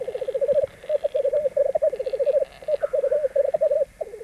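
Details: Fighting rackelhahn hybrids, three of them, on a black grouse lek, Grimstad, Norway, spring 1994: loud, close bubbling rolls of quick pulsed notes in bursts, broken by short pauses and a faint hiss.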